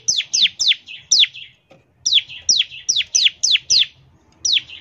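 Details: Bar-winged prinia 'ngebren' lure song: loud, high downslurred whistles with buzzy chatter after each, given in quick runs broken by short gaps.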